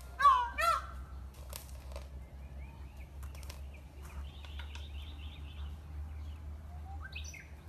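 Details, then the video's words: An Indian peafowl (peacock), filmed while displaying its feathers, gives two loud, nasal, trumpeting honks in quick succession and then falls silent, with thin chirps from small birds and a low steady hum behind. "peacock sound"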